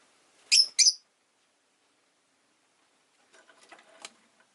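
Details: Pet rosy-faced lovebird chirping indoors: two loud, shrill, harsh chirps in quick succession, followed after a pause by faint scratchy rustling and soft ticking.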